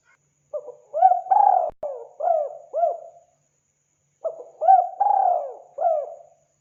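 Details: Spotted dove giving two phrases of low, mellow coos, each a run of four or five hooting notes with one longer, drawn-out coo, the phrases separated by about a second of silence.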